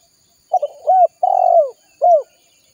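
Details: Spotted dove calling its companions, recorded to lure wild doves. Its phrase runs: stuttering short notes, a hooked coo, a long level purring coo, then a separate closing hooked coo.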